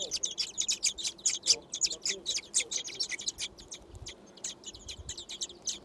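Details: Six thrush nestlings gaping for food in a garden nest. Sharp, high chirps come in quick separate bursts, several per second, growing a little quieter toward the end.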